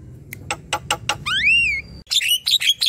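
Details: Javan myna singing in lively gacor style, a tutor recording for young birds: a run of sharp clicking notes, then a long rising-and-falling whistled note, followed by harsh squeaky chatter.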